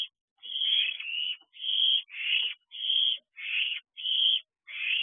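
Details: Owlets at a nest box at night in June, landing at the house: a series of eight harsh, breathy hissing screeches, each about half a second long, coming roughly every two-thirds of a second with brief silent gaps.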